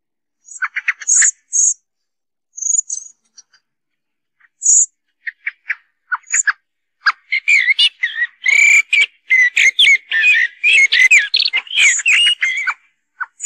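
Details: Common blackbird song, used as a lure for trapping the species: high, thin squeaky notes first, then a dense run of chattering, twittering phrases that rise and fall.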